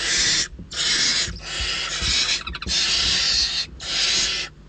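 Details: Hungry barn owl chicks at a nest in Riet Vell Nature Reserve, Ebro Delta, Spain, scrambling for prey after days of scarcity; harsh broadband hissing snores in long bursts, several overlapping, with short gaps between.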